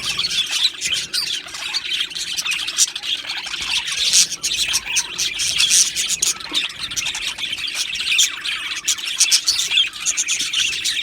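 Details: Aviary budgies chatter continuously: many overlapping high chirps, squeaky trills and short squawks that rise and fall in loudness over eleven seconds.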